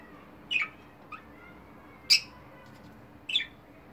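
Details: Budgerigar, a multicoloured pet called the clown of the group, making three separate sharp chirps, each a quick downward squeak, spaced about a second and a half apart against a quiet background hum.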